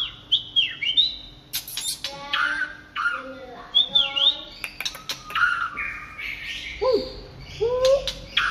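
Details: White-rumped shama in late-afternoon song, mixing clear whistled notes, V-shaped slurs and buzzy chattering phrases, broken by sharp clicking sounds and brief rising whistles near the end.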